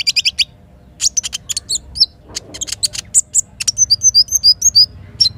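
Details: Little spiderhunter in the morning, with sharp high chips in rapid bursts, then a run of short, repeated, downslurred whistles near the end. A faint low river rumble sits beneath.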